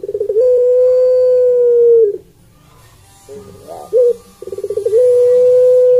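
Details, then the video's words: Barbary dove, known locally as puter pelung, giving a melodious call: a long, steady, drawn-out low coo lasting over a second, then a quiet gap, a short rolling burst, and fast stuttering pulses that run into another long sustained coo. "Suara Puter Pelung Merdu (Streptopelia Risoria)"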